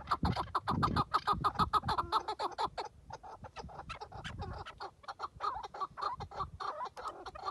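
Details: A tethered chukar partridge used as a hunting decoy gives a rapid, harsh chuck-chuck series, about three clucks a second, rising and falling in bursts with a little low rustling at the start.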